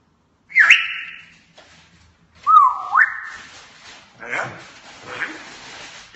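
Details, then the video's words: Talking African grey parrot imitating sounds indoors: a sharp rising whistle that levels off, then a dipping, rising slurred whistle, followed by breathy, speech-like noisy syllables. "Outstanding parrot talks and makes lots of sound effects"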